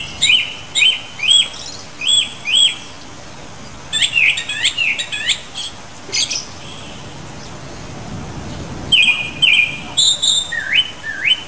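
Japanese Thrush giving short, bright chirped notes about twice a second, then a quicker cluttered burst and more rising chirps over a soft hiss.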